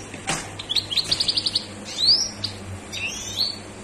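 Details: Highly excited European goldfinch singing: a quick series of six or seven twittering notes, then a sweeping buzzy trill and a thin rising phrase, over a steady low hum.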